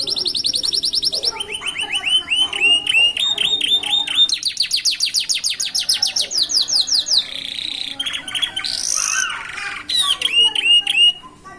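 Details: Young canaries starting to sing at a roadside, a long varied song of rapid repeated slurred notes, rolling trills and harsh buzzy bursts, loud and continuous with little background sound.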